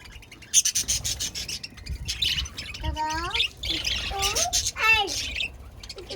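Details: Budgerigars chirping: quick high chatter with several rising and falling warbled whistles in the second half, overlapping calls from more than one bird.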